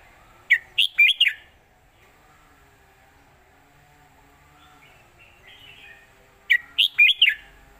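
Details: Master song in the old southern Thai style for training young red-whiskered bulbuls: a crisp four-note whistled phrase, a long quiet gap with soft warbling, then the same lively phrase repeated about six seconds later.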